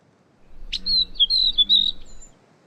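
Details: Mimicking catbird whose repertoire includes sora rail, western wood pewee, Wilson's snipe and Pacific tree frog; one sharp high note opens a short run of clear, warbled whistles held around the same high pitch, over a quiet low hum.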